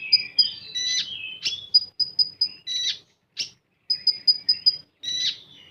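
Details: Common iora, 'full tembakan' singing: short high piping notes repeated in regular strings of four to six, separated by buzzy, grating bursts and short pauses.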